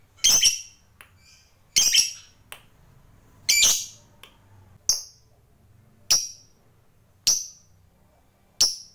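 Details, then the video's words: Lovebird giving harsh squawking bursts followed by a series of sharp, single high chirps spaced roughly a second apart, a faint low hum audible between calls. "Suara Burung Lovebird Ngekek Panjang GAYA MEWAH ISTIMEWA"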